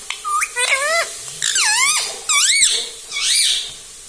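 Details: Rose-ringed parakeet kept as a pet, saying "mummy" repeatedly: four or five squeaky harmonic word-like calls with arched pitch contours, short gaps between them, indoor background.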